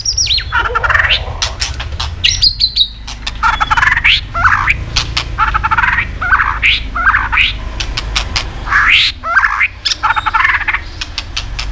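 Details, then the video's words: White-rumped shama song meant to stir other birds to sing: a dense run of loud, harsh, squawky rising notes and scratchy phrases, mixed with sharp clicks, with almost no pause. "kích chòe lửa hót cực sung.chòe lửa hót tạch liên tục kích thích chim ức chế"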